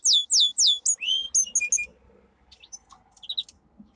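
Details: Domestic canary giving a training song: fast high sweeping whistles repeated several times a second, then short clipped notes and a quieter buzzy ending.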